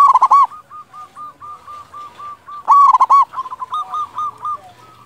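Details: Local zebra dove with a big, loud voice, singing often, used as a lure to get other doves singing: two loud bursts of rapid, throaty cooing notes, with softer strings of repeated coos between and after them.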